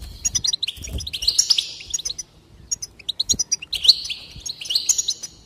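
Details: Goldfinch song used to stimulate singing: brisk high twittering runs with tinkling, slurred notes in two main bursts around a brief pause.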